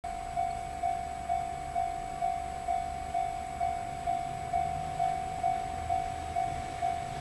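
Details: An evenly repeated mechanical beeping, about two per second at one steady pitch, sounds over a low rumble near a railway, with no animal voices.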